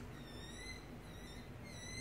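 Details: Young rehabilitating owls in care give thin, high, slightly rising squeaks, three drawn-out notes in two seconds, over a low indoor hum; the runt of four is known for constant little squeaks.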